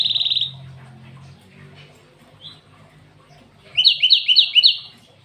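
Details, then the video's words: Canary-filled song from a cinereous tit: a short buzzy trill, a lone faint chirp, then a quick series of paired high chirps, about five repeats. "Burung gLatek watu full isian kenari"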